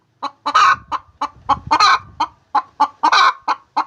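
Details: Cackling of a hen during egg laying: quick clucks alternating with three loud, harsh squawks, some low rumbling noise in the background.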